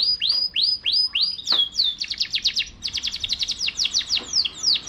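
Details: Canary singing clear curved whistled notes in a steady series, then a fast clipped staccato trill of bright high notes, ending in swooping phrases.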